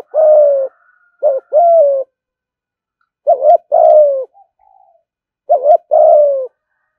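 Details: Spotted dove in the 'thúc gù' manner, meant to lure doves to the fighting perch: a long coo, then two phrases of a short double note and a sustained falling coo, with faint soft notes between.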